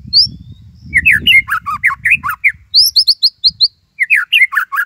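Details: White-rumped shama, a kept bird, in full song with a Cililin style phrase: quick varied chattering whistles sweeping up and down, with bursts of higher trilled notes and brief pauses between phrases.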